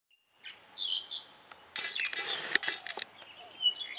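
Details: Birds singing in the morning at Boonrod Farm, Mae Suai, Chiang Rai, Thailand: a faint thin tone, then bright chirps and dense bursts of high twittering with sharp clicking notes.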